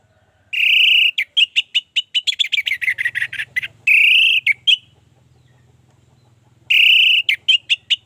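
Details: Orange-headed thrush singing as a lure for others to sing: long sustained whistled notes alternate with fast strings of clipped chirps, separated by a pause of nearly two seconds, over a faint low hum.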